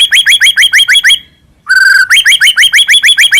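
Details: Lure song of a captive white-rumped shama from Medan, meant to make other shamas sing: brisk repeated rising chirps about three per second, a brief pause and a steady whistled note, then the rapid chirping resumes.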